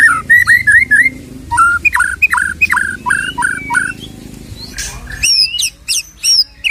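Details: White-rumped shama song used to provoke a shama into singing, its fighting spirit restored: a rapid series of repeated whistled notes, each with a short dropping tail, followed by higher sharp chirps.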